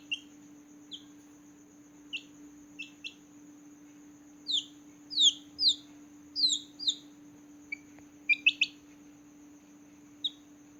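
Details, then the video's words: Small newborn chicks chirping at night. High peeps come sparse at first, then build into a run of louder, longer falling chirps before thinning out again, with a steady low hum behind. "Chicks Chirping Sound || Chicks Chirping Loudly || Chicks Chirping a lot"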